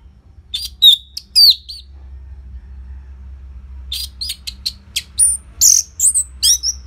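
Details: Loud song of a caged orange-headed thrush, played to trigger singing in reluctant birds: a few sliding whistles, a pause, then a dense string of sharp chips and high slurred phrases.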